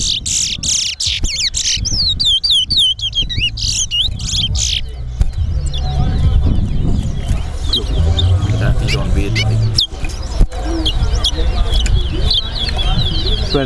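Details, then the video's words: Chestnut-bellied seed finch, called towa towa, competing in a whistling match: rapid whistled and buzzy notes for the first few seconds, then swamped by loud crowd chatter and a counting voice. "TOWA TOWA BIRD WHISTLING COMPETITION"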